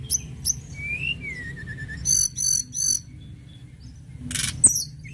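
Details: Sunda robin singing actively: high clipped notes, then two long falling whistles, three quick buzzy trilled bursts and a final harsh rushing note, with soft low hum behind.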